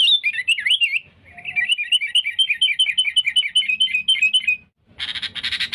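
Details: Sooty-headed bulbul lure song for catching rivals: a twisting opening phrase, then a steady series of short bouncing notes, cut off by a dense, harsh burst at the end.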